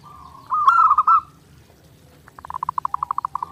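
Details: Zebra dove in clear master training audio: one drawn-out warbled coo, a pause, then a fast even series of about fifteen short pulsed notes.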